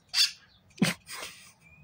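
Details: A wild grackle gives harsh, raspy squawks in three quick bursts, the middle one with a low grating edge and the last more drawn out, while a person talks to it nearby.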